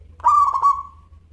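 A zebra dove gives one soft, fluttering coo of three quick pulses, then lets it trail off. A faint low hum runs underneath.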